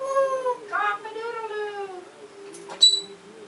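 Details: African grey parrot uttering drawn-out, wavering, meow-like harmonic tones that slowly fall in pitch, ending with a brief sharp high whistle.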